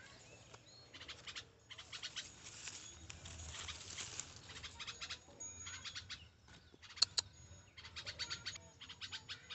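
Young bulbul giving harsh, raspy begging calls in rapid bursts with brief pauses, plus a couple of sharp clicks near the end.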